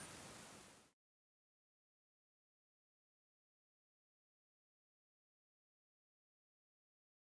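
A short burst of hiss lasting under a second gives way to complete silence, with no animal sound.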